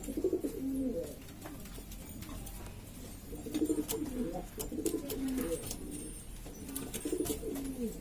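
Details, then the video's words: Various breeds of domestic pigeon from East Lombok, West Nusa Tenggara, Indonesia, kept by hobbyists, a noisy flock calling among themselves: low, throaty coos overlap in rolling bursts, with faint clicks and knocks in the background. "macam2 jenins burung merpati atau burung dara Lombok , dan burung merpati ini ribut sendiri"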